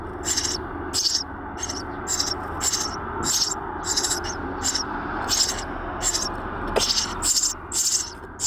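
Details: Eurasian tree sparrow nestlings inside a nest box give thin, hissing, very high chirps in pulses, roughly one or two each second, over a steady low background rumble.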